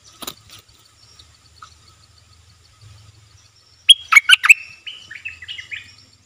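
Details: Wild Stripe-throated Bulbul keeping away from a cage, thought to have chicks in its nest, gives a burst of rapid, bubbly, warbled notes after a near-silent start, then softer descending phrases over a faint steady ticking.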